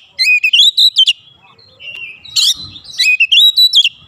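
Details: Agitated Oriental magpie-robin singing fill-in phrases: fast rising whistles stacked into bright bursts, with a short steady whistle between them.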